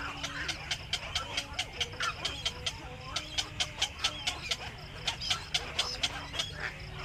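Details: Black-crowned night heron returning to its nest in the evening; a fast, uneven series of sharp clicking, clacking notes about twice a second, with faint low tonal calls underneath and steady low background hum.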